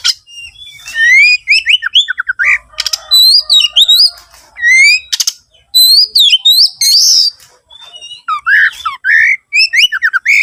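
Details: Oriental magpie-robin song serving as a lure for other birds, a long dense medley of sweet whistles, slurred upslurs and downslurs, and buzzy chatters with almost no pause.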